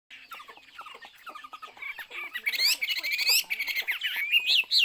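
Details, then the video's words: Chinese hwamei singing: a jumble of short notes at first, then from the middle a louder run of bright whistled phrases, looping and warbling, rising and falling quickly, with faint clicking notes underneath. "burung hwamei/wambi Joss suaranya"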